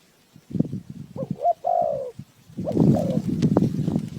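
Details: Spotted dove serving as a decoy for a bird trap, one full mellow coo phrase then a fainter one buried under loud handling and rustling noise.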